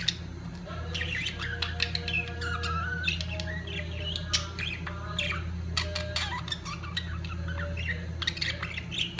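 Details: Budgerigars at the peak of their mating period give a dense, continuous chatter of warbled twitters and short squawks, with scratchy notes overlapping throughout and a steady low mechanical hum underneath.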